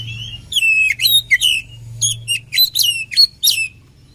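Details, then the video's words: Oriental magpie-robin combination training song: a continuous run of choppy, varied phrases. Clear whistles sweep up and down, mixed with rough scratchy notes, over a steady low hum. "SUARA KACER KOMBINASI AMPUH UNTUK MELATIH MENTAL KACER"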